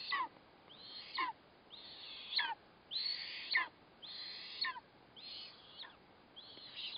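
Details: Eastern imperial eagle at the nest feeding its chick a caught kite, 4 August 2024: a series of shrill, drawn-out squealing calls that bend sharply downward at the end, repeated about once a second over steady background hiss.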